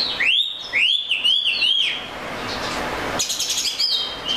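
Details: Oriental magpie-robin song opening with four arching, rising-then-falling whistles about two per second, followed by a hissy pause and then softer high chirps.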